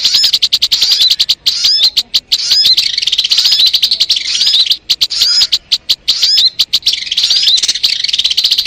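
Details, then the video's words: Sogon bird song for luring birds: long bursts of rapid high chatter and twisting whistles, split by short gaps and clusters of sharp staccato clicks. "MP3 suara burung sogon"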